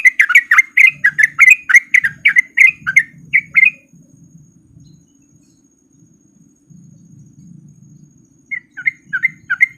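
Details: Male sooty-headed bulbul in ropel style, a lure to make lazy trucuk start singing. A burst of rapid, bubbly chirps runs for about four seconds, goes quiet apart from a low murmur, then resumes briefly near the end.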